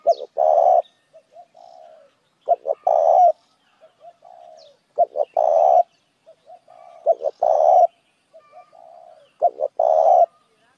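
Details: Spotted dove calling to lure other doves, each phrase opening with quiet low murmurs, then quick clipped notes and a long husky coo, recurring about every two and a half seconds.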